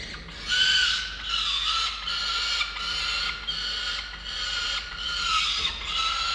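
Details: Two Peregrine falcon chicks at a nest, filmed by a nest camera of the FalconCam Project on 22.11.19: insistent harsh, squealing wails repeated about once a second in long overlapping bouts, over faint steady background hum.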